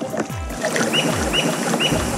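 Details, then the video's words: Squirrel cuckoo, called tingazú or "alma de gato" by the Guaraní, at Iguazú, Argentina, gives short, clear high whistled notes about every half second, over background music and deep sliding low tones. "Eso que se escucha ahí es un tingazú."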